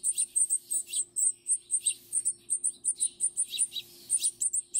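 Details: Baby songbirds being hand-fed at a wildlife care centre in late May: rapid, high thin chirps repeated several times a second in quick bursts, with short pauses, over a faint steady hum.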